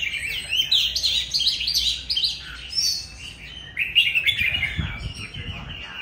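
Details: Captive mature, forest-caught Oriental magpie-robin singing loudly at home, rich sweet whistles mixed with scratchy chattering notes in quick varied phrases, a brief pause midway, then more warbling over faint low knocking sounds.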